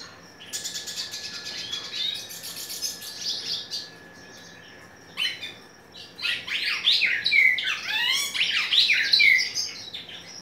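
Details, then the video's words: A hooded siskin sings a long, high, buzzy twitter that gives way to rapid, varied chattering trills and sweet whistled slurs, delivered without pause. "Pintassilgo da terra catando muito"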